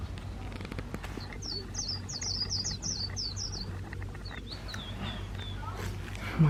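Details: White-eye used as a trapping decoy delivers a líu-style song: a rapid run of about a dozen sharp, high, falling chirps, then a few scattered higher notes, over a constant low hum and faint background noise.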